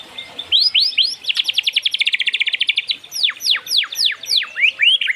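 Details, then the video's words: White-rumped shama song used as a lure, with rapid rhythmic trills of repeated swept notes followed by slower loud downward-slurred whistles. "Pancingan Murai Batu"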